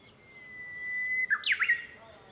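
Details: Heard from a home room on 5 May 2013, a Japanese bush warbler sings a clear, high, level whistle lasting over a second, followed by a loud, fast, falling-and-rising run of three or four accented notes.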